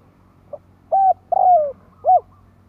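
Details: A single cooing phrase from a spotted dove, recorded to attract other doves: a faint short lead note, then a steady coo, a longer coo dropping in pitch, and a closing arched coo.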